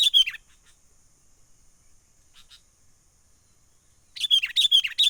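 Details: Wild sooty-headed bulbul giving a trapping lure call: a short chirping burst at the start, a long near-silent gap with faint notes, then a rapid string of bubbly chirps at the end.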